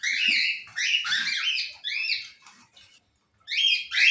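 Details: Pet cockatiel calling indoors: a rapid run of loud, bright, harmonic chirps that sweep up and down, a short silent pause, then two more sharp rising chirps; no other sounds.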